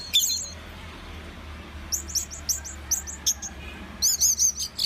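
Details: Orange-headed thrush in lively song: rapid bursts of high, sharp chirps and slurred whistled phrases, varied and tumbling, with brief pauses, over a low steady hum.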